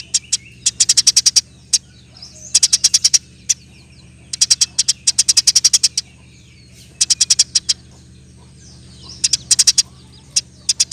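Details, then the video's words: Eurasian tree sparrow, 'gacor' singer with dense 'roll tembak' rolls used to tutor birds like cucak ijo and pentet; clusters of quick shrill chips, five to eight per burst, broken by single notes, over a low background hum. "Burung gereja gacor. Roll tembak pas untuk masteran"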